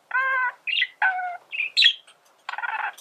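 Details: Male budgerigar singing to teach birds song, giving nasal harmonic squawks alternating with short squeaky chirps and a closing buzzy rasp.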